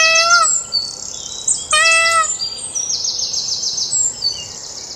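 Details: Indian peafowl at Dekhatbhuli, Kanchanpur, far west Nepal: two loud wailing calls with stacked harmonics, about a second and a half apart, over a steady shrill buzzing insect chorus.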